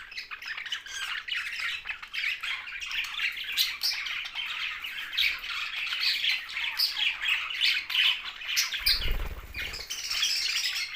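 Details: Budgerigars, the Australian parrots, tagged from Larkana, Sindh: a dense, continuous chatter of many overlapping squawks, warbles and chirps with no pauses, plus a brief low thump near the end.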